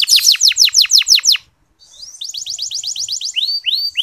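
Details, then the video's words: Canary singing in the gentle ngeriwik manner, used as a lure to excite male canaries that sing little: a quick series of downswept notes, a short pause, a quieter faster trill, then drawn-out descending whistles. "Suara Kenari Ngeriwik Halus"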